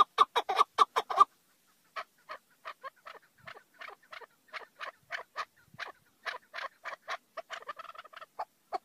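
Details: Chukar partridge starting with a short burst of loud, rapid clucks, then continuing with softer, more widely spaced chuck notes that quicken again near the end.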